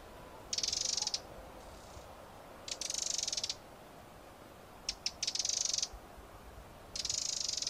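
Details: Eurasian wren giving four harsh, buzzy rattles of about half a second each, high-pitched and evenly pulsed, with one pair of short ticks before the third burst and quiet pauses between.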